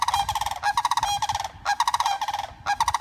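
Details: Sandhill crane, a female back with her flock after months of care for a broken wing, giving loud rattling, bugling calls in several quick bursts separated by brief pauses.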